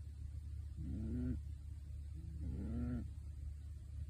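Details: A pet pigeon wearing a bird suit snores while asleep: two low, soft, humming grumbles, each about half a second long, separated by quiet breathing pauses over a steady low background hum.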